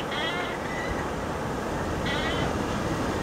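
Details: Inca tern at Cañete in Lima, Peru, dated 09-10-15, giving two short mewing, vibrato-laden calls about two seconds apart against steady heavy surf noise.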